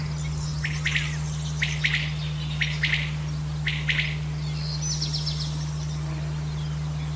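A male common quail gives its liquid three-note 'wet-my-lips' call about once a second, four times over, over a steady low hum and faint high insect ticking.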